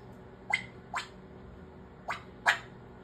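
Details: Pet African grey parrot making pop noises indoors: four sharp, short popping clicks spaced about half a second to a second apart, over a low room hum.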